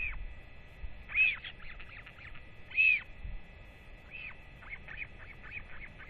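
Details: Northern royal albatross at a feeding visit on 8 October 2024, both parents returning to a chick after a rangers' weight check: two loud arched whistled notes about 1.6 seconds apart, with rapid soft clicking bursts between and after them.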